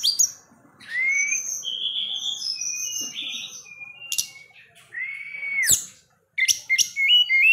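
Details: Forktail, a kept songbird in lively full song, calling out as if seeking a rival: varied high whistles and thin buzzy notes, with a clear rising-then-level whistle twice, separated by brief pauses.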